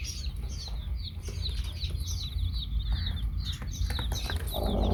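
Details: Chicks kept with a hen give a busy stream of high, descending peeps in quick succession, a rougher broad sound rising at the end, all over a low continuous rumble.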